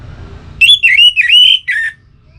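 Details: Orange-headed thrush singing a relaxed phrase of loud, fluty whistles that dip and rise in four connected swoops, ending with a lower, slurred note.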